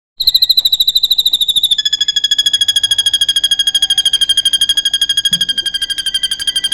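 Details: Drongo song filled with cililin imitation, kept as a master recording for training songbirds: a long, steady string of rapid, sharp whistled notes, high and evenly pulsed, dropping slightly in pitch after the first two seconds.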